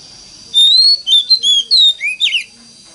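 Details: Lure song of an Oriental magpie-robin in the mountain-forest voice, meant to trigger silent magpie-robins into singing. It has a drawn-out rising whistle followed by short clear slurred notes and a downward twist. A faint constant high tone sits behind it.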